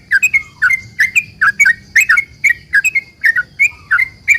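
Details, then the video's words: Sooty-headed bulbul in energetic, long-rolling song used to provoke other bulbuls into replying: rapid bubbly whistled notes, each dipping then levelling off, repeated about three times per second in a continuous run, with a steady faint high hum behind. "trucukan gacor ROPEL PANJANG ini buat pancingan trucukan agar bunyi"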